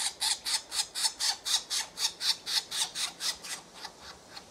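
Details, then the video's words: Woodpecker chicks begging for food, calling to their parents: harsh, squawking notes repeated about four times a second in an even rhythm, gradually fading toward the end. "Woodpecker Hungry Chicks Calling Sounds"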